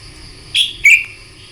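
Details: Red-whiskered bulbul morning contest-style song for training other birds; two loud, clear whistled notes in quick succession, the second slurring downward, with faint background hum.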